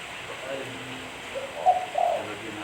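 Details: Spotted dove cooing for use as a lure: a quiet lead-in, then two stronger low, soft hoots close together near the end, against light steady hiss.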